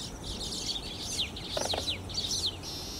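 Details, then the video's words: Baya weaver in Gurugaon's Emaar Imperial Garden off Dwarka Expressway, Canon EOS 80D recording: dense, high, twittering chatter of rapid squeaky notes, with a brief lower double note midway and a buzzy hiss at the end. "Sound of Baya weaver Bird"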